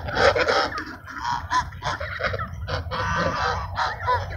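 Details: Ducks being fed at Sunset Park call in a busy chorus of harsh, nasal, honking quacks that overlap and come in rapid bursts, with a low rumble of background noise underneath.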